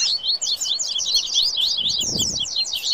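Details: Double-collared seedeater, or coleiro, sings baderna heatedly: very rapid, high, zigzagging notes packed into a continuous scratchy stream, with a faint low bump in the background.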